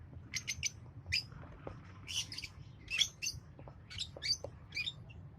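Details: Green pair of Fischer's lovebirds chirping: sharp, thin, high-pitched chirps in quick little clusters, spaced irregularly, with a faint low hum underneath.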